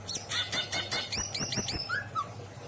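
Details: Caged greater green leafbird kept at a home in Indramayu, Indonesia, singing its rich isian song: a rapid run of short clicking notes followed by bright, upward-hooked whistles and a couple of lower slurred notes.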